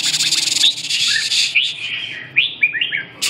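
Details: A loud hissing rush opens the recording, then a Red-whiskered bulbul gives a few clear whistled notes, short upward and downward slurs spaced apart.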